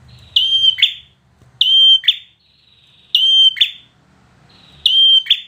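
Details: Bar-winged prinia repeating a ringing whistled note that falls slightly and ends in a harsh buzzy chip, four phrases spaced roughly one and a half seconds apart.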